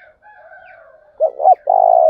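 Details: Spotted dove lure bird in the thổ đồng voice style, calling to provoke a fight. Faint, softer coos from other doves lead into one loud phrase: two short hollow notes, then a long rolling purr, all low and mellow.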